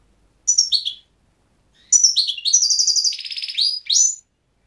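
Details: Goldfinch singing: a brief twitter, a pause, then a longer tumbling phrase of bright chirps, rapid trills and a buzzy rattling passage, closing with sharp upslurred notes.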